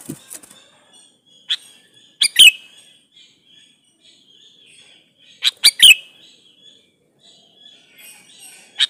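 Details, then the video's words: Lure recording of a male sooty-headed bulbul calling a female. Loud three-note chirping phrases come about every three seconds, each ending in a downward-slurred note. Softer single chirps and faint bird twittering fill the gaps. "suara burung KUTILANG jantan gacor memanggil betina"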